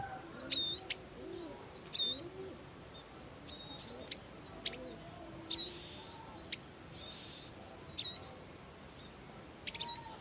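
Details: Wild Bar-winged prinia, parents caring for their young: short, sharp high chirps repeated at irregular intervals of one to two seconds, with faint buzzy notes between them over a steady background hiss.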